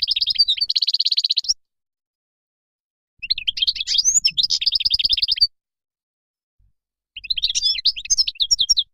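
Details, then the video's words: Moroccan goldfinch singing in bursts of rapid twittering, buzzy and tinkling notes high in pitch, each phrase lasting one to two seconds, separated by silent gaps. "تغريد مقنين مغربي"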